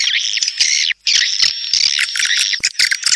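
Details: Swiftlet calls: busy, high chirping twitters packed closely together, briefly broken by a short silence, with a thin steady whistle tone beneath.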